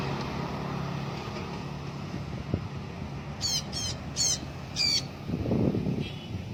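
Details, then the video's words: Blue-backed parrot flying free, uttering four rasping squawks in quick succession near the end, then a fainter one, against a low background hum. "BLUE-BACKED PARROT free flight night&day"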